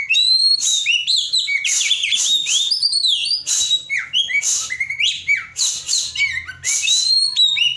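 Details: Oriental magpie-robin singing continuously, used as a lure to prompt a magpie-robin that has stopped singing; loud varied phrases of clear high whistles, rising and falling slurs and harsh buzzy bursts, tumbling rapidly without pause.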